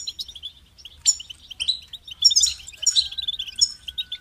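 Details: High goldfinch singing in fast, jumbled twitters, short liquid chips strung together and broken by bright buzzy slurs and a sweeping downward note, with one long thin whistle running underneath midway.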